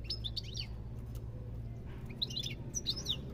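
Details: European goldfinch song in two short bursts of high, twittering chirps with a pause between them, over a steady low hum.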